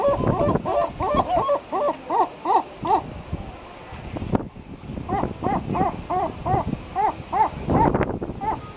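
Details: Herring gull in its breeding colony giving a fast series of loud, harsh, nasal barking notes, about eight in a row, a brief pause, then another long run of the same repeated calls.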